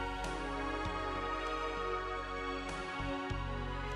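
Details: Soft instrumental background music playing throughout, without any animal sound.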